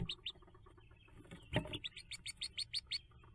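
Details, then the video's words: Hooded merganser ducklings leaving the nest by jumping, May 5th, 2024: a rapid series of high, upslurred peeps, about eight in a row, following a soft thump and scratching sounds. "Hooded Merganser Jump"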